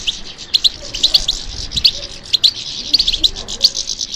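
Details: European goldfinch responding to stimulation with fast, high twittering: clusters of sharp chirps in quick bursts over a continuous bright trilling wash, with a low background hum.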